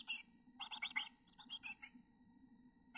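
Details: Chickadee nestlings in a backyard nest box give quick bursts of high, rasping chatter in two short clusters, with a faint steady electronic whine underneath.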